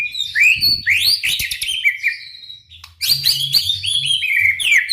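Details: Loud White-rumped shama song used to trigger other shamas into singing, with dense rising whistles, harsh rattles and a short pause before another busy burst of notes.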